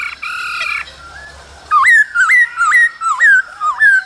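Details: Male laughingthrush singing and dancing in the cold season, accompanied by female calls: a steady droning tone gives way to loud whistled notes that dip and rise, repeated about twice a second.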